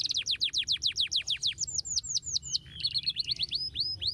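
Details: Canary song opening with a steady series of quick descending chirps, about four per second, then higher swept whistles and a rattling trill before more downward slurs; low background hum.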